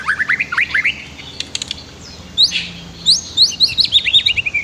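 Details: White-rumped shama song used as a master recording for training other birds, with river flow: varied, clear whistled phrases, some rising and sweeping, in quick bursts with short pauses, over a low steady rushing background.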